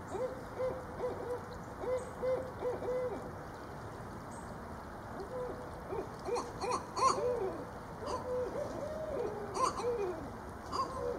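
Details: Loud calling between a female Barred Owl and her visiting mate: a long excited series of overlapping arched hoots and rising, wavering cackling notes, busier and louder toward the middle, with a few sharper higher yelps.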